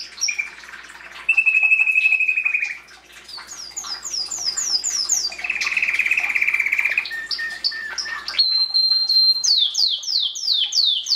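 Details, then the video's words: Canary singing a varied song: steady whistled notes held near one pitch, fast buzzy rattling trills, and a closing run of quick downward-sweeping chirps repeated about three times a second. "Canary singing"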